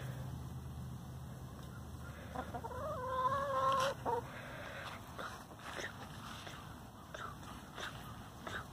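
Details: A complaining free-range hen lets out one long, nasal, wavering moan lasting over a second, then falls quiet, with faint background rustling.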